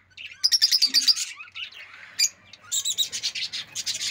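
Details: Loud chirping from a rosy-faced lovebird: a quick run of sharp high notes, a single isolated chip, then another dense series of shrill repeated chirps with faint low hum behind.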